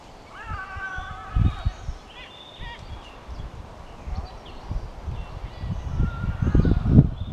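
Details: Probably an Egyptian vulture, possibly the Canarian subspecies (Neophron percnopterus majorensis), calling at the start of the Masca gorge trail, Tenerife, among 800-metre rock walls: a brief, nasal, downslurred mewing call, then fainter thin notes, over wind rumble.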